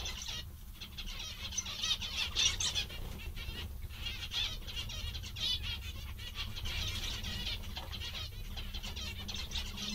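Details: Zebra finches, several birds said to be cheerful and content, keep up a dense chatter of nasal, buzzy beeps that overlap almost continuously, with brief pauses, over a constant low rumble in the background.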